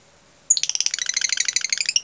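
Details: Lovebird in the tightly spaced "jeda rapat" style used to teach other lovebirds: dense, rapid high-pitched chattering notes starting abruptly and continuing without a break.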